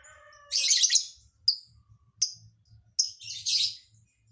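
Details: Odd, unpredictable filler singing by a lovebird: a faint whistled lead-in runs into a dense scratchy chatter, followed by quick sharp clicks and another rasping burst.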